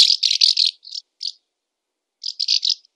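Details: Barn swallow song fragment: two runs of harsh, grating rattle notes, each about four pulses long, separated by a silent gap of over a second.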